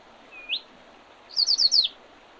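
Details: A spring bird by the Oredezh River, Leningrad Oblast, Russia, 8 April 2023, gives one upslurred whistle, then after a pause a quick series of four bright, high, descending chirps.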